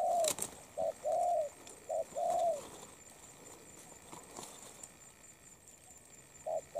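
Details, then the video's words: A moulting spotted dove, praised for a good, quick voice and good cooing, gives a soft, low, hollow five-note cooing phrase of short and drawn-out notes, then pauses before starting again over faint hiss. "Bổi Đồng Pha tốt tiếng , liền lẹ , bài khá , gù tốt"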